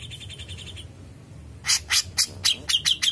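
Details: Grey-cheeked bulbul, a kept bird in constant ngepik song used for tutoring: a faint ringing trill, a pause, then loud separate chipping notes, about four per second, ending in sharper ringing whistled notes.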